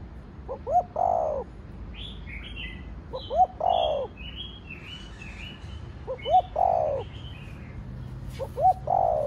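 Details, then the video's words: Spotted dove in the Thổ Đồng voice style, cooing to stimulate other doves: a short double note followed by a broad, hoarse coo, repeated about every two and a half seconds, with faint higher chirps of other birds between phrases. "Cu gáy giọng Thổ Đồng Thúc, Gù kích bổi nhanh nổi/ tiếng chim cu gáy giọng thổ đồng gáy, cu đất gáy"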